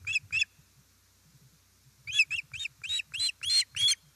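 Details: Osprey at its nest in Estonia on 1 September 2019 as a fish is delivered: two sharp, high chirps, a pause, then a quickening run of loud, harmonic-rich whistled yelps rising in intensity.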